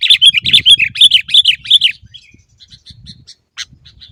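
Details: Sooty-headed bulbul chattering, used to stimulate caged birds to sing: a fast, rhythmic run of bright, rolling notes lasting about two seconds, then sparse faint chirps and one sharp call, with low rumble behind.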